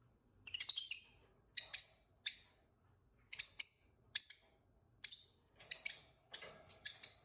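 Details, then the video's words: Peach-faced lovebird, one of a newly kept pair, giving sharp high chirps in short bursts of two or three notes, each burst separated by about a second of silence. "Peach-faced Lovebird Singing & Chirping Sounds"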